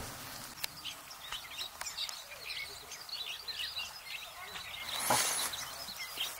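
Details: Red crossbills, several birds, give a steady scatter of overlapping short, sharp high chips, with a brief rushing burst of noise near the end, recorded during the 2023 irruption.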